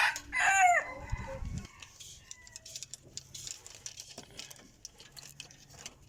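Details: Decoy rooster, noted as an excellent crower, ends a crow with a brief hoarse descending tail, followed by a quiet background with soft scattered noises.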